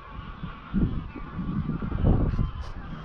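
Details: Greylag geese in evening flight to Llyn Maelog, Llanfaelog, Anglesey, roughly 200-300 wild birds; a few clustered honking calls rise mid-clip beneath a constant roar of wind.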